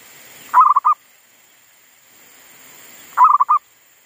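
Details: Decoy zebra dove singing in a garden after a disturbance by wild monkeys: two short, loud rolling coo phrases of four or five quick notes each, separated by about two and a half seconds of quiet.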